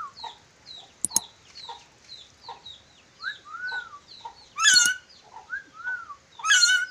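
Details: Red-breasted parakeet from Sulawesi, described as a skilled whistler with many whistles: slurred, arched whistled notes alternate with two loud harsh screeches, over constant high, thin chirping from other small birds.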